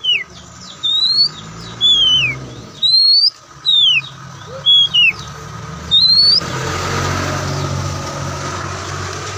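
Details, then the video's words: Oriental magpie-robin, white-breasted kacer, giving clear separate whistled notes, some rising, some falling, about one each second, before a louder rushing background noise takes over near the end. "Kicauan Santai Kacer"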